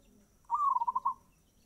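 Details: Single phrase of fast-tempo zebra dove song, a clear rising opening note running into six or seven rapid, evenly spaced cooing pulses, in near silence.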